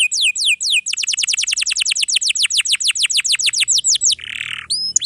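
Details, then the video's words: Canary singing a long roll of quick, evenly spaced descending whistles after a few slower sweeps, then a brief buzzy note and two rising chirps, meant for tutoring young birds or canaries that have stopped singing. "KENARI GACOR ROLL PANJANG ||| Isian Rapat Cocok Untuk Masteran Kenari Paud Dan Kenari Macet Bunyi"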